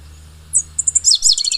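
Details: Brief burst from a pale-headed brushfinch, endemic to Ecuador: a high lead note, three short chips, then a tumbling rapid trill of bright repeated notes. A low steady hum fades out as the song begins.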